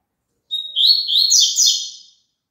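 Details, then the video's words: Double-collared seedeater song, played so a caged bird sings along: a thin high whistle, then a rapid tumbling phrase of bright, buzzy, descending twittered notes lasting about a second and a half, in clean silence. "COLOCA ESSE CANTO PARA SEU PAPACAPIM CANTAR JUNTO"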